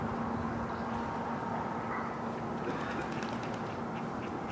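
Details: Adult male and female mallards (Anas platyrhynchos) at Domaine Maizerets on 27 March 2018 give low, nasal quacks, partly buried under a steady wash of broad background noise, possibly distant traffic.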